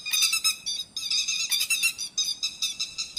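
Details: Grey-headed lapwing calls played as a night net-trapping lure, an almost continuous run of shrill, ringing, rapidly repeated notes, loud and harsh, forming overlapping chattering phrases.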